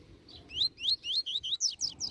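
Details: Close Tui Tui Zel Zel phrase of a rusty-collared seedeater, a master song for tutoring: about eight clear rising whistled slurs delivered roughly four per second, the final notes higher and more steeply falling.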